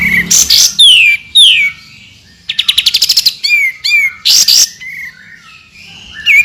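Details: Song of a white-rumped shama used as 'tembakan' tutoring material: strident noisy blasts, sweeping downward whistles and a quick machine-gun trill of short notes, in a quiet setting.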